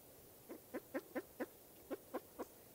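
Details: Spruce grouse uttering soft, low clucks in two small groups, four notes then three after a short gap, moderately faint.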